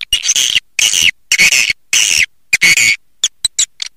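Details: Swiftlet calls played to draw in swiftlets: harsh, buzzy bursts of about half a second, repeated roughly every half second, then a few quick ticks at the end.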